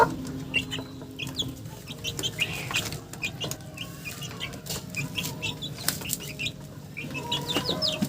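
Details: Busy chickens, with rapid scattered clucks and high chirps throughout, a long drawn note at the start, and some rustling or wing noise.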